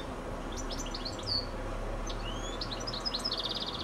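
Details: Goldfinch on a telephone wire at dusk, just before sunset, pouring out bright high chirps and upslurred whistles, then a dry rapid trill near the end, with a faint low hum underneath.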